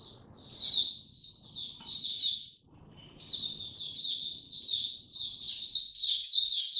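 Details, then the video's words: Oriental white-eye beginning to sing, unhurried, recorded 2 May 2022: two bursts of high, lisping warbled notes split by a short silence, the second phrase longer and brighter, over soft low rumble. "Mata Puteh Hercules buka sing go slow n easy"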